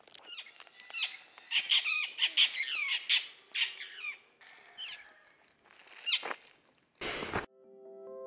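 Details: Parrots in Bajo del Tigre, Children's Eternal Rainforest, Costa Rica, give a lively run of varied whistles and squawks, rising and falling, several a second; a brief loud rush and steady electronic tones end it.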